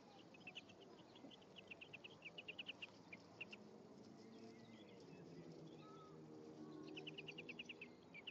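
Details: At the nest on 1 May 2015, a male and female European greenfinch call in quick runs of short, bright chirps. The runs come in bursts early and late, with a faint low hum underneath.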